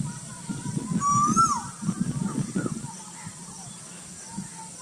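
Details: Cuckoo at Burdwan uttering one bright, rising whistled note that falls off at the end. Low murmuring sounds continue before and after the call.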